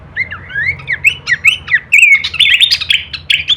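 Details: Horsfield's babbler masteran song with kleperan variation: about two rising whistled notes per second, then a longer slurred whistle and a fast warbling chatter, with low background hum.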